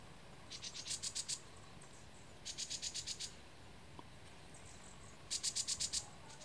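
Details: Green-backed tit at Dasyueshan Forest Recreation Area, 16 March 2015: faint bursts of six to eight very high, sharp repeated notes, each burst lasting under a second and spaced a couple of seconds apart, over quiet forest background hiss.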